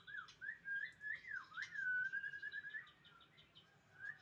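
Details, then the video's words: Whistled white-rumped shama song with short rising and falling notes, then a long smooth whistle that bends downward, followed by quick softer notes and a final rising whistle. "kicau ku"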